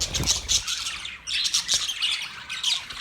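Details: Short run of Budgerigar chirping, harsh high squawks and chattering notes coming in quick overlapping bursts, with a brief dip in the middle.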